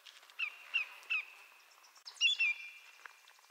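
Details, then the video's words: Greater yellowlegs, a North American shorebird, gives three clear, falling whistled notes, tew-tew-tew, in quick succession. A brighter, sliding bird call follows, over a soft outdoor background. "Greater Yellowlegs Sound"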